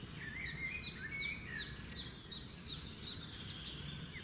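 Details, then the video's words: A common nightingale by a river among trees repeats a bright, sharp note about twice a second over a lower warbling line, with a steady low rush of water or wind beneath. "the sound of the nightingale"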